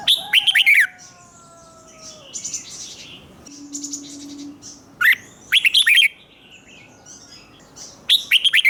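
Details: Caged red-whiskered bulbul singing the doubled 'เบิ้ล' style used to teach young birds: three loud rolling phrases of quick whistled notes spaced several seconds apart, with long thin whistles, soft chirps and a low hum between them.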